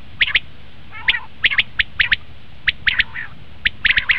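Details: Common quail calling, a recording used to lure quail for hunting: short sharp notes in pairs and triplets, spaced irregularly, with a faint grating note near one second, against low background hiss.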